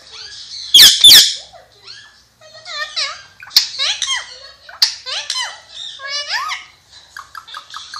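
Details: Pakistani ringneck parrot, an Alexandrine parakeet, opens with two harsh loud screeches, then chatters quick speech-like syllables with sliding pitch, ending in a short series of even, rapidly repeated notes.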